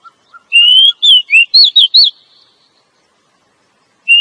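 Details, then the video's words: Female Oriental magpie-robin calling to excite a male into song: a long rising whistle followed by a quick series of twisting, up-and-down notes, then a faint note near the end. "suara Kacer betina.untuk memancing Kacer jantan mau bunyi"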